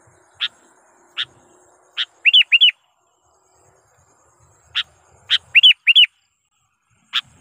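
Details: Sooty-headed bulbul lure call aimed at wild rival bulbuls: spaced single sharp chips about a second apart, broken twice by a pair of quick looping, bubbly notes.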